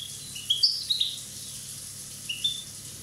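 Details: Softer, more distant-sounding high twittering from a one-year-old Corsican European goldfinch: a few thin chirps and slurred notes early on, then a faint pair of notes near the end.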